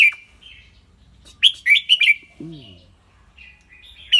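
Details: Clear-voiced red-whiskered bulbul kept in a cage, with a short whistled note, then a lively phrase of four bright warbling notes, a low arching harmonic sound, and another whistled phrase at the end.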